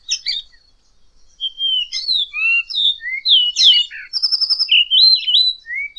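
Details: Variable oriole (Icterus pyrrhopterus) singing a rich, varied run of clear slurred whistles, some rising and some falling, mixed with short buzzy trills, delivered rapidly and without a steady rhythm.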